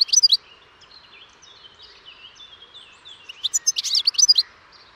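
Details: European goldfinch song: bursts of bright, high twittering and tinkling notes at the start and again toward the end, with thinner drawn-out whistles between, over a faint low background hiss.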